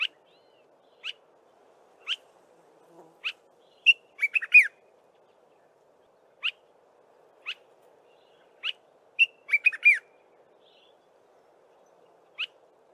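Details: Dark-capped bulbul in early-morning song: sharp upslurred whistled notes spaced about a second apart, broken twice by quick bubbly chattering phrases, against a faint steady low hum.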